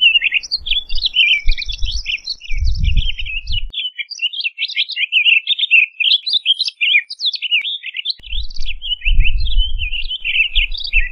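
Townsend's solitaire sings a long, rambling warble of fast, bright, varied notes that runs on without pause; low rumbles from wind or handling come and go.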